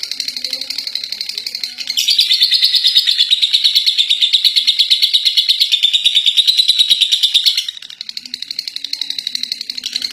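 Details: Ngekek from a contest-champion lovebird: quieter chatter opens, then a loud, dense, high trill of regular pulses runs from two to seven and a half seconds before easing back to softer notes.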